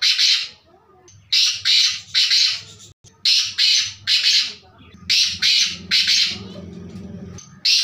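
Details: Black francolin (kala teetar) calling repeatedly: phrases of three or four harsh, grating notes, one phrase after another, with a low hum in the background near the end.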